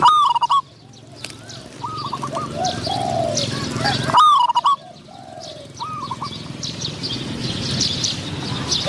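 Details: Decoy trapping of spotted doves, a caged decoy answering a wild dove with a medium-pitched voice; loud near coos at the start and midway, between them softer distant rolling coo phrases, small birds chirping in the background.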